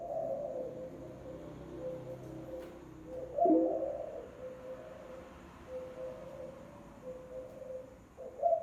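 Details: Spotted dove giving a lure call, deep soft coos with a brief rougher burst in the middle, sustained low tones between phrases, quiet background.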